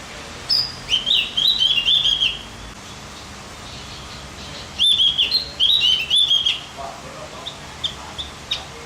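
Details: Javan grey-throated white-eye singing to excite other birds: bright, twittering phrases of quick rising and falling notes, two separate bursts, with soft background hiss.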